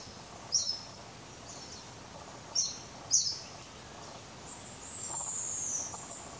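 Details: Rufous-bellied niltava at Doi Lang, Chiang Mai, Thailand, 27 March 2017, gives brief, very high thin notes at irregular intervals, then a longer fine whistle sliding slightly downward, over a steady hiss.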